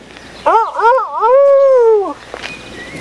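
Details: Rooster crowing at a cafe bar restaurant near Katakolo, Greece, on June 2, 2014: two short wavering notes run into a long, steady, harmonic-rich note that drops away at the end, about 1.7 seconds, with faint chirps after it.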